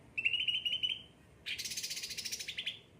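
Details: Cucak ranting, a kept bird singing lively: a fast buzzy trill held level, then a louder, rougher rattling burst of rapid repeated notes after a short pause.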